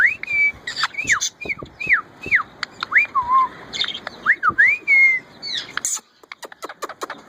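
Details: Hand-reared female Indian ringneck parakeet in mating season, giving a mating call and talking to her owner: about a dozen short, arched whistled notes in quick succession, followed near the end by sharp clicks.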